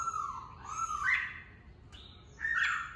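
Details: Red-whiskered bulbul kept caged for fighting-bird training in Vietnam, singing a few mellow, slurred whistles that rise and fall, separated by a quiet gap.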